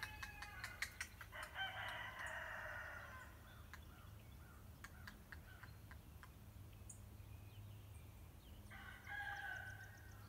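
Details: Green heron, thought to be nesting in the tree, gives two long, harsh, rasping squawks about seven seconds apart, possibly alarm calls as a person approached and a small raptor may have flown off; sharp clicks precede them, with a low rumble underneath.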